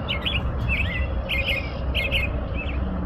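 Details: Short burst of American robin song: five warbled phrases in quick succession with squeaky high overtones, backed by a dull low hum.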